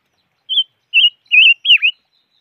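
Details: Five-coloured bird calling: four short whistled notes around the middle-high range, each wavering or warbled. The last one dips sharply then rises again, spaced about half a second apart in a quiet setting.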